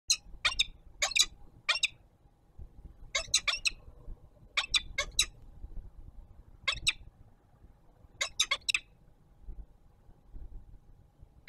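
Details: Peregrine falcons at the Palace of Culture and Science in Warsaw, an adult bringing dinner that the young bird takes: sharp, clipped chattering notes in quick pairs and triplets, recurring every second or so, over a low steady hum.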